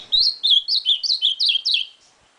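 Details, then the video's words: Short burst of ultramarine grosbeak song: seven clear, high, slurred notes in rapid even succession, each dipping in pitch, then fading out in a quiet room. "Azulão Torvão Azul"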